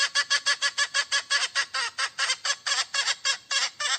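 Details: Loud, rough clucking from a hen calling for a mate, with raspy notes repeated quickly and somewhat unevenly, about three per second, throughout.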